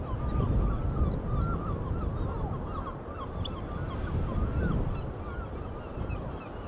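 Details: Several gulls at the beach give rapid, overlapping yelping cries in a busy chorus, with a constant low wash of ocean waves beneath.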